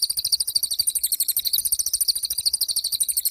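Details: Pied fantail singing: a continuous, rapid chatter of high, squeaky notes, roughly ten per second, held steady throughout with no pauses.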